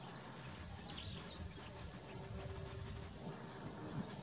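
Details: Eurasian goldfinch giving high, thin twittering: quick bright ticks in small clusters and faint short whistles over a soft, constant low background hum.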